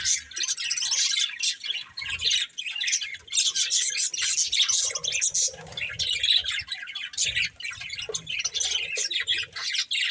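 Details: Continuous budgerigar chatter from a breeding pair: busy, raspy warbling and high chirps running without pause for ten seconds, with faint low noise beneath.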